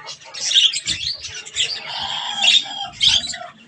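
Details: Budgies at a strawberry meal produce grating chatter with a few sharper squawks standing out, a drawn-out buzzy note in the middle, and a faint low knock.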